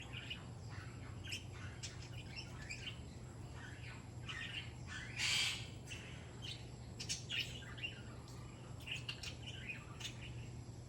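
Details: Grey parrot (Psittacus erithacus) asking to be scratched: scattered short chirps and clicks with one louder raspy squawk midway, over a steady low indoor hum.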